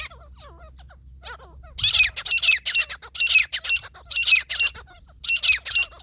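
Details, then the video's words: Grey partridge, the jungli desi teetar, in a hunting scene: a few faint chirps at first, then loud, harsh squawking phrases in clustered bursts, separated by short pauses, over a low steady hum. "Wildlife grey partridge hunting/fighting"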